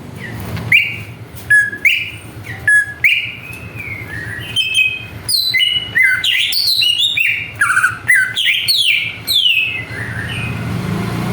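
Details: Greater green leafbird lure to agitate other birds: repeated two-note whistles that build into a fast, rich, tumbling sequence of high slurred and whistled notes, with a low background hum.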